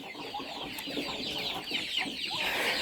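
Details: A brood of chicks screams as they are herded, peeping loudly and shrilly, with high thin cries overlapping in a constant frantic chorus.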